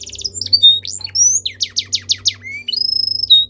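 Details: Belgian canary training song with quick trilled notes, sharp rising chips and a long steady whistle, over a low steady hum in the background.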